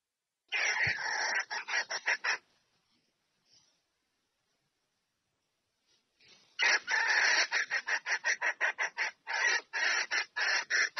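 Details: Female red junglefowl calling the male to mate: a harsh cackling phrase, about four seconds of near silence, then a faster, longer series of roughly fifteen rapid raspy notes.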